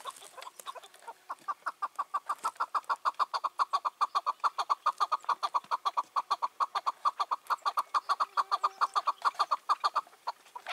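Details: A long, very regular chain of evenly spaced clucking chuks at a steady pitch, more than two per second, from a five- to six-year-old wild chukar calling on a June 2023 evening.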